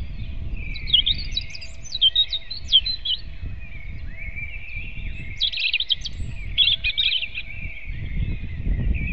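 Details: Robin singing at dawn on 8 April 2016 around 05:48: bursts of high, jangling twittering phrases separated by short pauses, over a steady hum of other birds in a dawn chorus and low background rumble.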